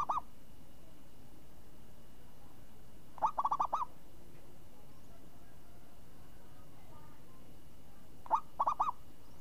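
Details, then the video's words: Crisp-voiced champion zebra dove (perkutut) singing ngayun style: three phrases about four seconds apart, each an opening note then a tight series of rolling, gurgling coos, over a steady faint background hum. "Perkutut Juara Suara renyah ngayun"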